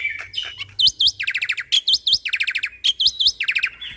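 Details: Energetic Black-winged myna song packed with 'tembakan' filler shots, used as a master for other birds: bright swooping whistles alternate with fast trilled bursts of five or six notes, the sequence repeating several times.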